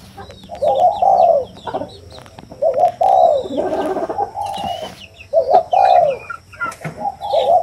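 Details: Low, soft spotted dove coos, a clipped opening note running into a drawn-out falling hoot, repeated roughly every two seconds, while other birds twitter and whistle at higher pitch in the background.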